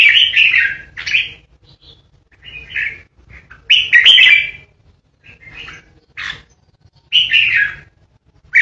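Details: Caged red-whiskered bulbul kept as a lure bird, singing its loud 'ché' competition song: bursts of rich, slurred warbling notes separated by short pauses, with one strong phrase in the middle and a faint low hum beneath.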